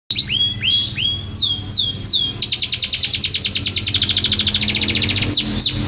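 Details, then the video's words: Canary song, unedited: a string of curving, down-slurred whistles breaks into a long, fast, even trill of bright repeated notes, then ends with more sweeping slurred whistles; low steady hum in the background. "تغريد الكناري بدون تعديل"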